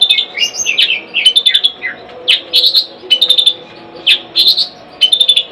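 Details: Kept long-tailed shrike singing: a busy run of short, sharp chattering and whistled notes around high pitch, delivered in quick bursts with brief gaps, some notes sliding down, over a faint steady low background hum.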